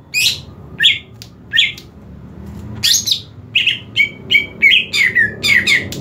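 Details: Green leafbird (cucak ijo) set up for a singing competition. Scratchy chips and squeaky notes are spaced out at first. They build into a faster sequence of ringing whistles that dip and rise, over a low background hum.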